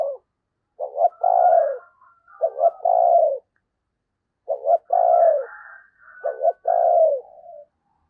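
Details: Decoy spotted dove delivering thúc gù coos to draw in wild doves during Tết: four repeated phrases, each a clipped double note then a full mellow coo, arranged in pairs with a brief gap.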